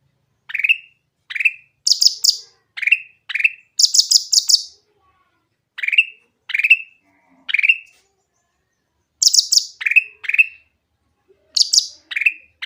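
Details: Lively, clear lure song of a Grey-bellied bulbul for getting silent birds to sing: a long series of short downslurred whistles mixed with rapid clusters of very high chirps, in bursts separated by brief pauses.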